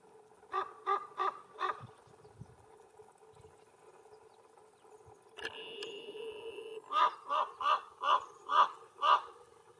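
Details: A Canary Islands raven (Corvus corax canariensis) on Gran Canaria in July 2022 gives hoarse, nasal, snore-like croaks: four quick ones, a pause, then about seven more at roughly two per second, with a brief thin tonal sound between.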